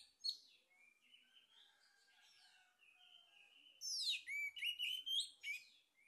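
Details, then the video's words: Lure song of a male orange-headed thrush: a sharp opening note, a soft steady warbled passage, then a loud burst of rapid high slurred whistles and chattering notes before trailing off. "PANCINGAN ANIS MERAH JANTAN PALING POPULER"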